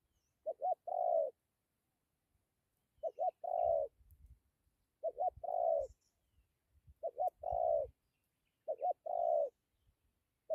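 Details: Spotted dove with a good voice performing dặm kèm gù: five phrases roughly every two seconds, each two quick stuttered hoots then a long mellow coo, with low knocking noises between.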